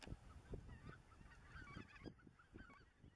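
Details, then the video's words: Greater white-fronted geese calling under the spring moon in the Dannenberger Marsch, 25 March 2013; a dense chorus of overlapping honks and higher yelping notes from many birds, with a low background rumble. "Blässgänse unterm Mond"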